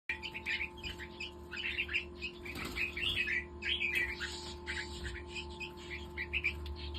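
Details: Several captive hybrid red-whiskered bulbuls, awaiting sexing, chatter together in quick, overlapping bright chirps and short warbled phrases over a steady low mechanical hum.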